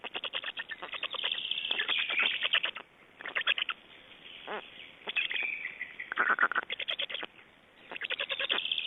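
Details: Estonian black storks at the nest on 29 May 2012, feeding and changing over; several separate bouts of fast, buzzing, clicking pulse trains with quiet gaps of about half a second between them.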